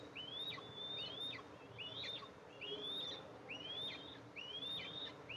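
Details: Nest-camera sound from Eastern imperial eagles, July 14, 2024, with the female arriving to feed her two young. Rising, thin whistles with hooked, falling endings repeat steadily about once a second, sometimes doubled or overlapping.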